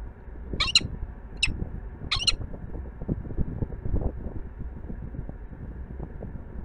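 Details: Peregrine falcon on the Palace of Culture and Science, Warsaw, Poland, giving three short, sharp, clipped calls early on, the last a quick double note. Constant low urban traffic hum continues throughout.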